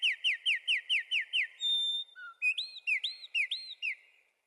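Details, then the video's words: Singing wren delivers a rapid string of sharp downslurred notes, then a short pause, a thin whistle, and a few bouncy rising-falling phrases that fade out. "Wrens bird Singing"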